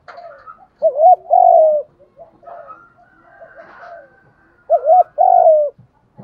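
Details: Spotted dove cooing to stimulate other doves to coo and fight. Two loud two-part low coos about four seconds apart, with softer murmuring coos and light rustling in between.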